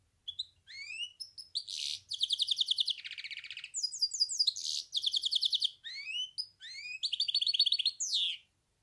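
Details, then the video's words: Goldfinch hybrid in full song, alternating rising whistled sweeps with dense buzzy trills and rattles, continuing almost without a break for nearly nine seconds. "تغريد النغل.. هجين الحسون melez ötüşü"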